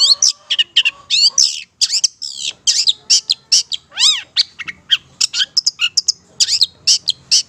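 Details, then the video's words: Madura Long-tailed Shrike singing vigorously as a training recording: dense, rapid chatter of harsh buzzy notes and thin whistles, with a striking set of stacked arching whistled strokes midway. "Masteran Suara Cendet Pentet Madura GACOR Cocok Untuk Pancingan"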